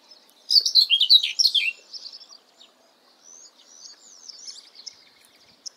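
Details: Common whitethroat singing a brisk, scratchy warble of quick, jumbled notes for about a second. Softer high twitters and thin whistled slurs from other birds follow in the background.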